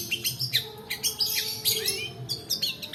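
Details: Long-tailed shrike song in the drawn-out 'roll' style, used to train other birds: quick high chirps at a fast, uneven pace with a few rising whistled slurs and a faint tonal hum behind.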